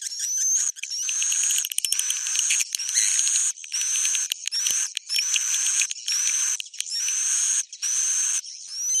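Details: Swiftlet roosting chatter: repeated harsh buzzy bursts topped by rising whistled notes, with clicking pulses and short pauses between phrases.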